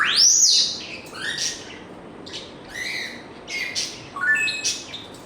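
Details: African grey parrot opening with a loud arching whistle that rises and then falls, followed by scattered chirps, buzzy notes and a quick run of ascending whistled tones.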